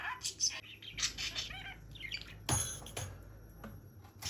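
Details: A pet budgerigar that goes frantic when not let out of its cage gives rapid, scratchy chirps and warbles in quick bursts, with a loud wing rattle or flutter midway.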